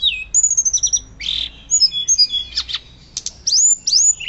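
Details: Hill blue flycatcher in loud, fluting 'nyuling' song, used as a master recording for training birds: high whistled notes sliding down, then quick trills and bursts of sharp rising and falling phrases, with no other sounds.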